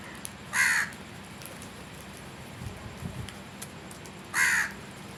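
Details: A crow gives two loud, rasping caws nearly four seconds apart, with faint soft knocks and background hiss between them.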